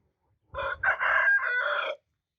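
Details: Rooster crowing once: a loud, hoarse cock-a-doodle-doo of about one and a half seconds, a short opening note followed by a long, strained, slightly wavering drawn-out end, against quiet surroundings.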